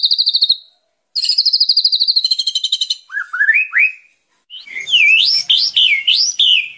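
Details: White-rumped shama (murai batu) song, a training recording for a young bird: a high buzzy trill, then a long chattering rattle, then rising whistled slurs and looping whistles in quick succession.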